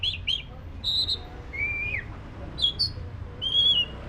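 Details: Black-breasted white-rumped shama singing: clear whistled notes and slurred phrases, some rising and falling, separated by short pauses, with low background hum.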